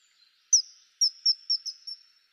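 A common kingfisher gives five shrill, high, thin whistled notes in quick succession, each sharply struck and falling slightly, with near silence around them.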